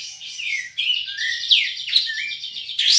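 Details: A contest Sooty-headed Bulbul from Singkawang, West Kalimantan, entered in an April online song contest, sings a rapid, unbroken run of high, bright chirps and sliding whistles, changing phrase every half second with no other sounds.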